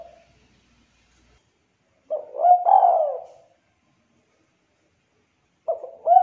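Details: Spotted dove with a thick, clear voice: one full phrase of a stuttering start and long descending coo, preceded by silence, then the opening notes of the next phrase.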